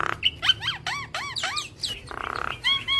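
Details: Javan myna song as a training masteran: a run of arched, bouncing whistled notes, then a buzzy rasp and a few clear high whistles.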